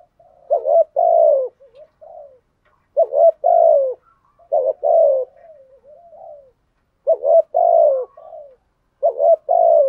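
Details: Caged lure spotted dove delivering 'thúc gù' coos and calling coos. Around five mellow two-note phrases, each ending in a longer falling coo, with gentle trailing murmurs between them.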